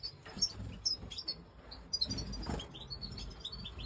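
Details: Pied white-headed Major goldfinch chirping: clipped high tweets in loose clusters, some quick descending slurs, with dull knocks and low background noise.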